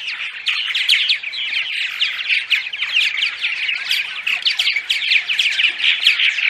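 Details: Purple martin dawn song, a studio recording meant for playing before dawn to attract martins to nest sites: dense, continuous chatter of gurgling, rolling chirps and croaks, with several birds overlapping in a steady chorus.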